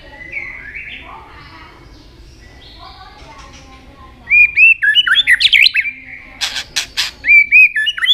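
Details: White-rumped shama singing many varied notes while flicking its tail, likely caged: after quiet faint notes in the first half, a loud run of clear whistled, looping phrases with sharp high clicks and varied rapid notes.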